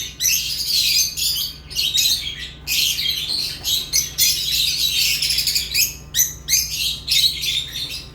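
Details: Lovebird chatter: almost continuous harsh, high, squawky chirps with rapid pulsing notes, barely pausing, over a faint low hum.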